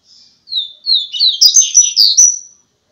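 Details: Double-collared seedeater delivering a song described as top quality: a fast run of high, sharp whistled notes and short trills, about eight phrases packed into two seconds, clean with no other sounds.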